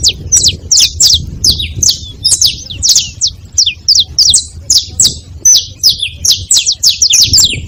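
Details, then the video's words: At a feeding spot, saffron finch chatter fills the recording: rapid, overlapping high chirps and sharp downslurred notes in steady busy runs, with a faint low hum beneath. "Canário da terra fazendo barulho na seva"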